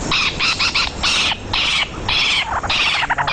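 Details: Spotted Owlet, a familiar bird found almost everywhere in India, giving loud, harsh screeching chatter in quick bursts, about seven bursts within three seconds, with short gaps between them.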